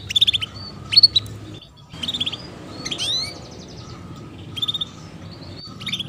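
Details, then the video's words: Chirping female canary, a call meant to get young canaries singing quickly: short clusters of bright, high chirps about once a second, some notes sweeping sharply upward, over a low background hum. "PANCINGAN Kenari BETINA Cuit Cuit"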